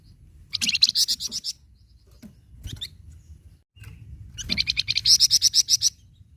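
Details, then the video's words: Flamboyan bird song meant to get captive flamboyan birds singing: two bursts of rapid, high, metallic chattering notes, the second longer and louder, separated by a pause with faint clicks. "Suara Khas Burung Flamboyan Sangat Ampuh Bikin Flamboyan Bunyi"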